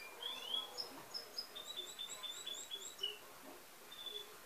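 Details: Chestnut-backed tanager recorded in woodland on a Sunday morning, 25 August 2019. It gives thin, very high call notes: a few upslurred chips, then a quick run of a dozen short tinkling notes over about two seconds, against faint hiss.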